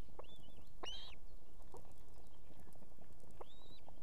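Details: Female osprey with two chicks on a nest in Estonia, calling the male to bring food at evening: three arched whistled calls, at the start, near one second and near the end, over steady low rumble.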